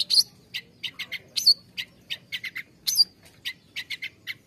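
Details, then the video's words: Long-tailed shrike song used as therapy to stimulate caged birds that are reluctant to sing: sharp harsh chattering notes and high whistled slurs in irregular bursts, with faint low background hum. "SUARA CENDET UNTUK TERAPI CENDET MALAS BUNYI"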